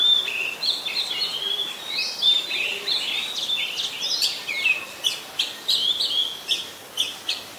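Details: Song of an Oriental magpie-robin in Ubon Ratchathani, Thailand, 26 December 2020: fluid whistled notes and slurs at first, then a run of short sharp chips spaced about half a second apart, against light outdoor noise.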